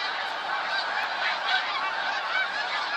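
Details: Huge flock of snow geese recorded on 28 February 2013: a dense, continuous wall of overlapping nasal honks and yelps with no pauses, many birds calling at once.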